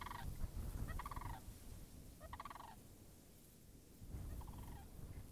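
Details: Sandhill cranes by a wetland whose puddles remain frozen, recorded March 26th 2019. Four purring, rolling calls stand out at irregular gaps against heavy low-pitched rumble, likely wind.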